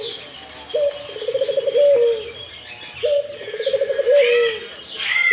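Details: Barbary dove giving repeated low rolling coos, each a purring stutter drawn out into a smooth held note, about every three seconds, while other small birds chirp and twitter faintly in the background.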